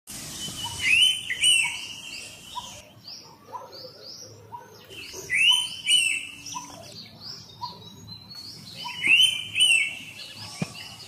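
Indian pitta giving a loud, clear two-note whistle, repeated in three bursts about four seconds apart, over high chirping from other small birds and a steady hiss.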